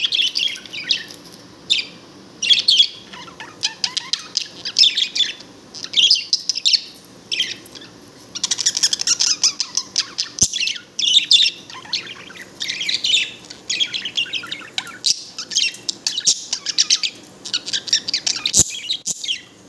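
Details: A pet budgerigar, happy and dancing, chatters in a continuous stream of high, scratchy warbles and chirps.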